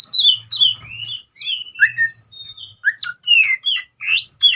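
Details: Oriental magpie-robin in aggressive fighting song, aimed at provoking rival birds; clear whistles slurring up and down in short phrases with brief gaps, some sharp upward sweeps near the end.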